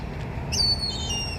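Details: Indian grey hornbills, a group including young birds, perch about 50 feet up in a Nilgiri tree; one gives a shrill, drawn-out squealing whistle that falls slightly in pitch, over a low background rumble.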